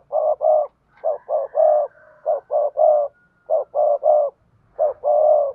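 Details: Spotted dove in a run of prompting coos, for bird keepers: groups of two or three short, soft, hollow notes, each group closing with a longer coo, repeated rapidly about every second. A faint whistle-like tone runs behind them.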